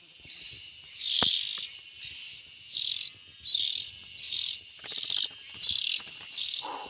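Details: Fledgling bulbuls call steadily with rasping, noisy buzzes, nine or ten in a row, spaced roughly every half to three-quarters of a second. A brief soft knock sounds partway through.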